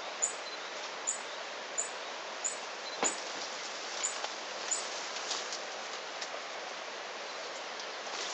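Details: Tawny-bellied hermit (Phaethornis syrmatophorus) in La Romera nature reserve, Sabaneta, Antioquia, Colombia, 2012, giving very high, thin squeaky notes about every 0.7 seconds, fading after seven or eight, over steady hiss.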